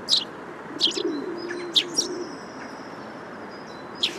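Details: Eurasian tree sparrow giving a handful of short, bright chirps spaced about a second apart, with a lingering thin whistle and a low, murmuring coo underneath.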